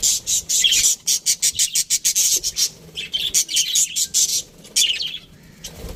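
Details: Aviary budgerigars give bright, clipped chirps in a quick regular run, roughly five a second, then break into looser, warbling chatter that fades toward the end.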